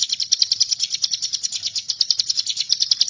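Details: Bar-winged prinia (ciblek gunung) giving a steady run of sharp, high chipping notes repeated about every tenth of a second, a dry rapid pulsing series used as a master song for training magpie-robins.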